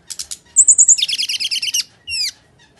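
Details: Brown-chested jungle flycatcher in fighting-mode song as a lure: a few quick ticks, a shrill whistled trill, a dense rapid buzzy rattle, then a single long descending whistle.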